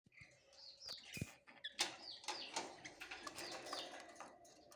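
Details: Budgerigars chattering: dense, busy chirps and short warbled whistles in the upper range, overlapping one another with a few sharper clicks and rustles, rising in intensity after the first second and continuing steadily.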